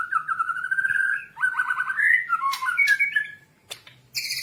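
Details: White-rumped shama song for training captive birds: drawn-out, slightly harsh warbled notes that rise and fall, followed by a brief squawking burst and a few sharp clicks.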